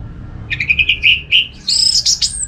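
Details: Orange-headed thrush singing, offered as a lure for other thrushes: a short run of warbled mid-pitched whistles, then a jump into higher, thin, piercing notes ending in a drawn-out high whistle.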